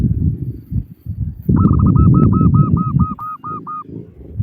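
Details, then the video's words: Female local zebra dove calling males: a run of about twelve quick, evenly repeated notes rises above loud, continuous low rumbling background noise. "Suara Burung Perkutut Lokal Betina Memanggil Jantan"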